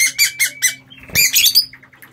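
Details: Aviary lovebirds giving loud harsh squawks, four quick raspy notes followed by a shrill screech and softer short chirps, all high-pitched with a faint low hum behind.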